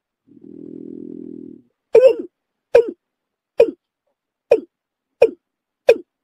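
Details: Watercock lure call for hunting, opening with a low, even droning hum for about a second, then six hollow, abrupt 'kok' notes spaced roughly every three quarters of a second.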